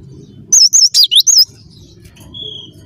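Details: Cinereous tit singing actively: five bright, looping high notes in quick succession, followed by a single thin, level whistle, all above a soft low rumble.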